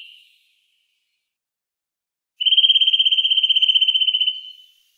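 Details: After a short silence, a Eurasian nuthatch delivers a fast, even trill of rapid identical notes at one steady pitch. The trill lasts about two seconds before fading.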